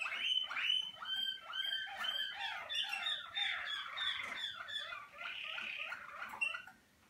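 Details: A Malinois Waterslager canary, on its first outings to the song cabinet as it warms up, sings a continuous, rolling song of rich, fairly low, bubbling and gurgling phrases that run together without pause.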